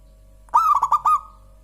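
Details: Single song phrase of a local zebra dove, perkutut lokal: a gentle coo opening into four rounded throbbing notes and a fading hum, against a quiet low background drone.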